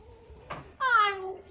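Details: Talking common hill myna in Chiang Mai, northern Thailand, speaking Thai blessing phrases. A soft click is followed by one loud, nasal, voice-like syllable with strong harmonics that slowly falls in pitch.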